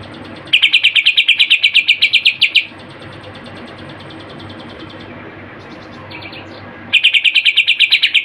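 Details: Greater green leafbird in full song with mimicked phrases: loud rapid trills of evenly repeated sharp notes lasting about two seconds, a pause with faint short notes, then the trill starts again.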